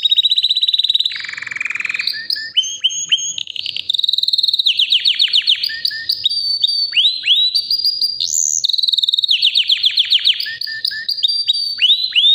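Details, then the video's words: Powerful nonstop song from a healthy white canary aged about three years, alternating rapid high trills, rolling lower warbles and bursts of sharp repeated notes, the phrases changing every second or two. "BEAUTIFUL WHITE CANARY NON STOP POWERFUL SINGING"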